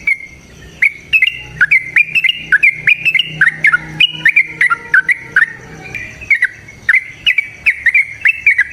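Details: Yellow-vented bulbul song meant to make birds sing: a steady stream of clear whistled notes with downward and upward slurs, several per second, punctuated by sharp high clicks, continuing throughout.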